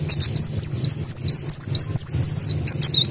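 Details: Sunbird (kolibri daun) singing continuously in mbeset style while mimicking a canary: high, thin whistled slurs, each sweeping downward, delivered rapidly about twice a second, with brief buzzy bursts at the start and end; low hum underneath.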